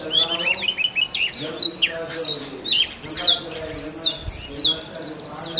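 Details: Male Oriental magpie-robin (doel) singing in forest to attract a mate: rapid varied whistled notes, downslurred and upslurred, in quick bursts, with a steady lower droning tonal sound underneath.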